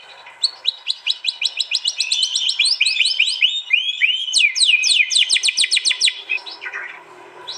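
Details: White-rumped shama song compiled from real recordings made on an Android phone in East Java, Indonesia: a fast, fierce volley of sharp, high downslurred whistles repeated several times a second, shifting pitch midway.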